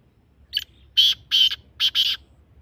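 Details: Black francolin, or kala teetar, calling: a short lead note, then harsh, grating bursts in two paired groups, loud and rasping against quiet low background hum.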